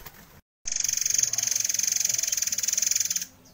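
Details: White-crowned forktail song used as a training model for other birds, prized by judges in hanging contests: a sustained, dense, fast-pulsed high buzzing trill held for about two and a half seconds.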